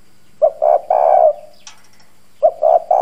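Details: Hoarse-voiced decoy spotted dove cooing to stir up wild doves: a short note and two longer husky coos, a pause, then the phrase starting again, with a brief click in the gap.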